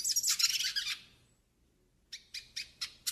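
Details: Northeastern hooded siskin song used for training and warming up: a dense burst of high chattering twitter lasting about a second, a pause, then four or five separate sharp chirps spaced evenly.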